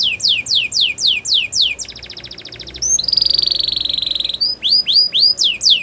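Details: Canary song for training young canaries to sing: rapid falling whistled notes, a fast buzzy trill, a bright sustained rattle, then more swooping descending notes repeated about four per second.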